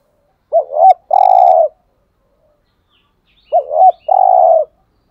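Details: Spotted dove cooing meant to stimulate captive males, in the 'hạp' voice. Two identical phrases come about three seconds apart. Each is a wavering two-note start and then a long flat hoot, with nothing else in the background.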